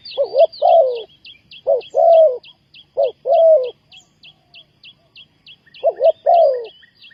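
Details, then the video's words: Spotted dove calling, used to lure wild doves for trapping: low hoarse coos, each a quick double note then a longer drawn-out coo, repeated several times, with a steady series of thin high chirps above. "Cu gáy Ninh Thuận,Sound Of dove"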